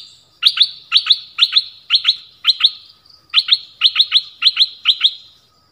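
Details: Dok taeng songbird singing many song phrases: crisp, high double notes repeated roughly twice a second in a steady run, with one short gap midway.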